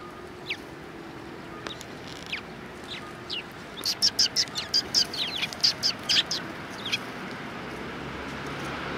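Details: Sparrows on a Tenmangu shrine approach in December 2019: scattered single chirps at first, then a dense burst of rapid high chirps in the middle before thinning out again, against quiet background noise.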